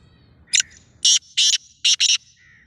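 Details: Black francolin, known locally as kala tetar, giving a harsh grating call: one short rasping note, then four loud buzzy bursts, the last two close together, in a quiet background.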